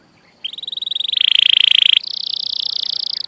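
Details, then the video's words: Canary song recorded for teaching young canaries. After a short pause, a continuous rapid buzzy trill starts, grows louder and rises into a bright ringing roll, then shifts to a higher, thinner rattling trill. "Kenari Gacor Cuit Cuit Panjang || sangat cocok buat masteran burung kenari paud"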